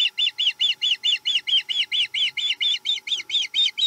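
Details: Osprey at a Chesapeake nest on 7 April 2020, eating menhaden, gives a rapid series of high, whistled chirps, each with a slight downward bend. Roughly two per second, evenly spaced, with a faint steady hum beneath.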